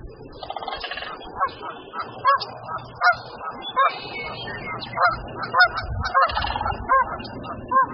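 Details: One morning, with a mule deer too close to their nest, a female sandhill crane calls an alarm and her returning mate joins in. Loud, rolling, trumpeting calls come irregularly about once a second, with overlapping bugled notes, until the deer runs off.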